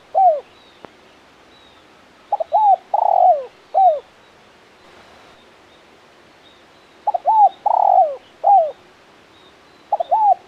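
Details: Spotted dove male calling 'kuk 1 mersik' phrases, about three seconds apart, with pauses between them. Each phrase is a stutter of short notes, an arched coo, a rolling buzzy coo and a falling final coo. There is faint hiss.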